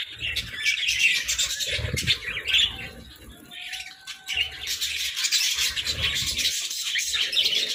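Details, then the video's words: Budgies chattering during their morning routine, a steady stream of buzzy, high warbles and quick chirps that quiets midway before rising again, with faint low knocks. "Budgie Morning Routine"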